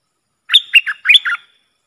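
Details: Worked-up bulbul singing at wild rivals as a decoy bird: a brisk phrase of five chirpy, slurred notes, gurgling and whistled, with a short gap midway, heard clearly against silence.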